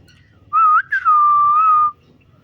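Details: Green parrot playing and interacting with its owner indoors. It gives a short rising whistle, a brief break, then one long steady mid-pitched whistle held for about a second.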